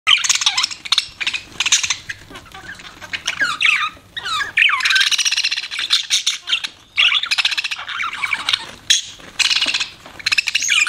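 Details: Pet budgie parrot chirping and warbling almost without pause, dense bursts of squeaky, twittering notes with rapid frequency sweeps, broken by brief gaps.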